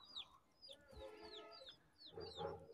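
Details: Chicks on a balcony, housed with rabbits, keep up a stream of sharp descending peeps. Lower, buzzy sounds and a louder thump-like noise join near the end.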